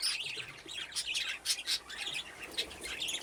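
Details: Aviary budgerigars at play near nesting boxes; a rush of overlapping chirps and scratchy chattering notes from several birds, continuous throughout.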